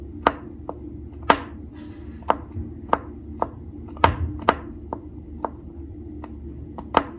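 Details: Sharp chopping taps repeat irregularly over a low room hum indoors, with no animal calls.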